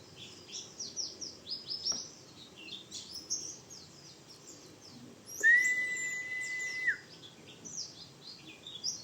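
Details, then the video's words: White-eye in rough "ngriwik" trill style, used as a tutor recording for training birds: rapid, high, scratchy down-slurred notes run on continuously, broken by a long steady whistled tone midway. "Suara Pleci Bustomi Ngriwik Kasar"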